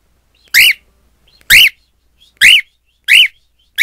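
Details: Caged male pet cockatiel calling at his own reflection in a mirror: loud piercing arched screeches repeated roughly once a second, five in a row, each rising and dropping in pitch.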